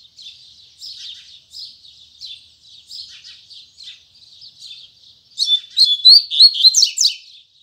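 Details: In the morning a Double-collared seedeater delivers Tui Tui Zel Zel song: about five seconds of soft, evenly spaced high twitters, then a loud, fast phrase of ringing, sweeping notes lasting two seconds.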